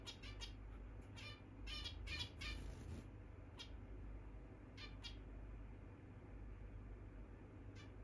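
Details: Zebra finches flying freely around a room indoors: short, nasal calls clustered in the first three seconds, then a few scattered calls, over a steady low rumble.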